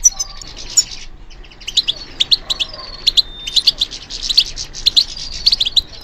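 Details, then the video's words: European goldfinch, kept and trained for song competitions, singing a bright run of twittering notes and drawn thin whistles, building into dense rapid chirping trills toward the end. "How to encourage the goldfinch to respond to stimulation"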